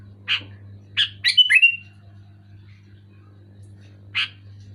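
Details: Sooty-headed bulbul giving two single chirps, then a quick bubbly phrase that slides down into a short whistle, followed by a quiet gap and one more chirp, over a low steady hum.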